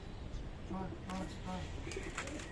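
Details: Pigeons fighting over food while being hand-fed, after landing on a man: low, throaty coos in quick succession while a person calls to them nearby.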